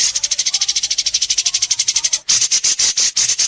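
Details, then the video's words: White-rumped shama in an Indonesian singing competition: quick even string of high buzzy notes, then slower, louder harsh bursts, part of its sharp besetan delivery. "Masteran besetan tajam!Langsung dikunci para juri"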